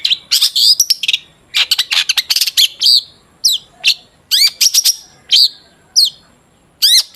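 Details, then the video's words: Long-tailed shrike in full song, played as a lure to make other shrikes sing: bursts of harsh, buzzy chatter alternate with sharp rising and falling whistles, in short phrases separated by brief pauses. "Burung cendet gacor DOR BUAT PANCINGAN CENDET AGAR BUNYI jadikan BURUNG PENTET GACOR"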